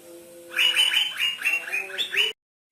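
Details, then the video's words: Asian fairy-bluebird, 'trotol' type, in full song and said to agitate greater green leafbirds: a quick string of bright repeated chirping notes lasting under two seconds, ending in a rising note, after a low hum. "Suara Asli Cucak Biru - Cucak Biru Trotol Gacor _ Bikin Cucak Ijo Emosi Denger Suaranya"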